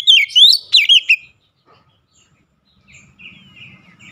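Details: Oriental magpie-robin, known locally as kacer, in a brief burst of song: about a second of loud, wavering whistled notes, then quiet with faint distant chirps and a low rumble.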